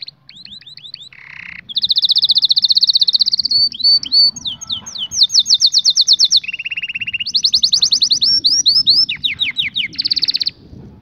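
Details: Canary singing a long varied song: rapid trills of repeated notes, rolling buzzy tours and sweeping whistled slides, changing section every second or two, with faint low hum behind.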